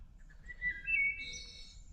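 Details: Wild Wood Thrush singing beside the Appalachian Trail during a thru-hike, identified with the Merlin app: clear fluted notes slide upward, then a high, shimmering buzzy trill. Low background rumble.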